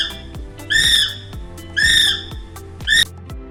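Kiwi giving three shrill, whistled calls, each about half a second or shorter, roughly a second apart, over background music and clicks.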